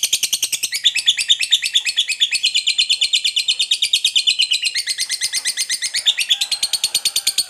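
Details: Lovebird giving an extended ngekek trill to provoke other lovebirds into song: an unbroken run of rapid, shrill, rasping pulses lasting over seven seconds, gently wavering in pitch.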